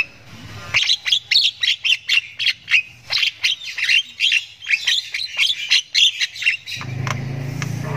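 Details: Long ngriwik chirping from a Javan myna chick that is learning to sound: a dense, steady run of scratchy, high chirps for about six seconds, then a low hum takes over.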